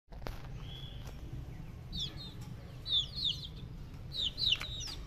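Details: Silkie bantam chicks peeping: clusters of short, high, downslurred cheeps in small bursts, over a steady low hum.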